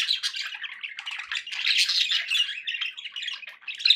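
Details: Pet budgerigars keep up unbroken scratchy warbling and squawking, a busy flock chorus with no pauses, loud and close.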